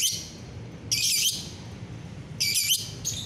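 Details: Lovebird singing gacoran on a bright morning, 30 November 2021: three short intense bursts of buzzy, warbling high chatter separated by quiet gaps, with a steady low hum.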